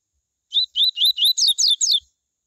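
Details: Coleiro singing the tui tui style, a song meant to stimulate other coleiros to sing: a crisp phrase of six or seven whistled notes, the first ones rising slurs, the last ones quicker and buzzier with high overtones, against a silent background.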